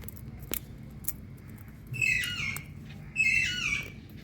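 An Indian ringneck parakeet gives two harsh, grating screeches about a second apart, each sliding downward, with a couple of sharp clicks before them.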